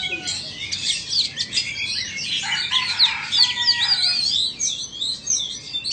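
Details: A Vietnamese Oriental magpie-robin and an Indonesian one dueling in song. Dense high chatter runs through the recording, with a few sustained clear whistles in the middle and rapid repeated squeaky notes.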